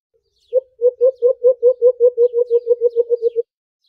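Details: Aggressive fighting call of the white-eared brown dove, locally alimokon: a single opening hoot, a short gap, then a three-second run of quick, low, hollow notes that gradually weaken and stop sharply.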